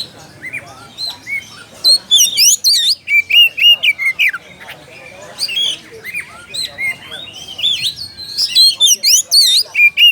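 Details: Oriental magpie-robin singing to challenge a rival: a long, fast, varied stream of loud whistles, slurred sweeps and sharp chips, dense bursts with brief pauses, continuing throughout with faint low background noise.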